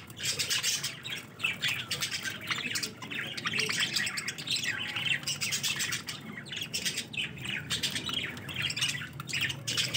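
Budgerigars chatter in a dense stream of high, scratchy warbles and sharp squawks while squabbling over food.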